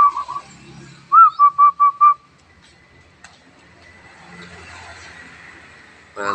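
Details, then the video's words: Wild-caught local zebra dove, newly trapped and just beginning to sing: a burst of five bell-like cooing notes, the first higher and sliding down, then quiet, with a man's voice urging it on. "perkutut lokal alam mulai bunyi"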